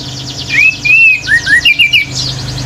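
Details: A male orange-headed thrush sings in 'gacor teler' style, prompting other birds to react: a short run of clear, arched whistled notes, some rising and some falling, against a faint high chirring background.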